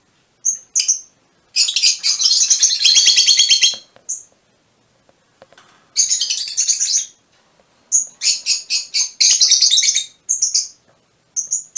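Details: Piercing lovebird chatter, Fischer's mutation, in three dense bursts of quick squeaky notes, each a second or more long, with lone sharp chirps and silent gaps between.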